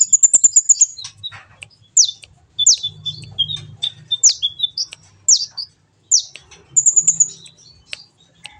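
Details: Kolibri ninja sunbird in a song-training recording: opens with a rapid string of very high ticking notes, followed by repeated steep downslurred whistles with short gaps and another quick high trill near the end.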